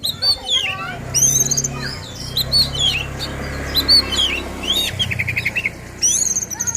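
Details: Oriental magpie-robin, singing agitatedly to provoke other magpie-robins, gives scattered high whistled and chirping notes and a short rapid trill, over a steady low hum in the background.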